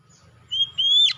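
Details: Oriental magpie-robin: two drawn-out, pure whistles, the second longer and slightly higher, ending in a brief harsh burst, over a low rumbling hum.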